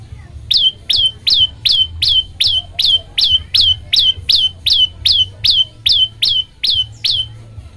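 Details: Long run of about seventeen identical loud, high notes from an olive-backed tailorbird, each a quick downward flick settling into a brief steady whistle, evenly repeated over several seconds; a song meant to prompt other birds to sing. Low hum underneath.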